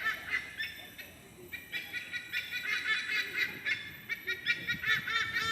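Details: White-bellied sea eagles, the largest resident raptors in Singapore, in a raucous chorus echoing through a nature park; nasal, goose-like honking notes repeat quickly and unevenly, about two or three per second, over quiet background.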